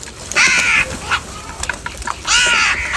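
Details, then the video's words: Caws from crows fighting for food at morning feeding time: a long, harsh, nasal caw, a brief softer note, then another drawn-out rasping caw near the end. "Crow bird live crowing sounds - Crow bird Fight for Food | Crow Foods Time In Morning & voices"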